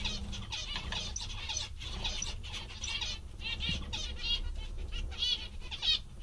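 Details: Lively zebra finches, said to be very content today, keep up rapid nasal calls at irregular intervals, at times overlapping, over a steady low-frequency hum.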